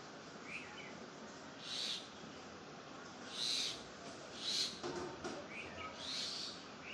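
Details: Birds chirping in a natural setting: short, bright, high chirps come every one to two seconds, with a few softer, lower twitters between them, over a steady background hiss.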